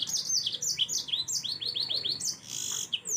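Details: Yellow-fronted canary in lively song, recorded to tutor other songbirds: continuous high, bright warbling with rapid downslurred notes repeated in quick series and a brief buzzy trill near the end.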